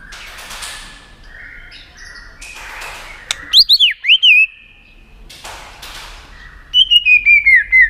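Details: [6, 'White-rumped shama used to stimulate contest singing: harsh noisy rasps and clicks, then a looping whistled phrase, and later a short descending series of clear whistled notes.']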